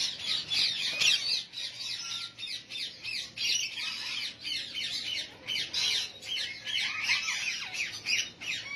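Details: A white-head blue Indian ringneck parakeet breeder pair squawk continuously, harsh and high-pitched, with grating bursts tumbling over each other without pause.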